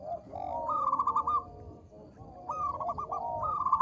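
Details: Local zebra dove in lively song, small-voiced, used as a lure to set other doves calling: short stuttering runs of soft staccato cooing notes, rising then falling, two bursts about two seconds apart over a low rumbling background.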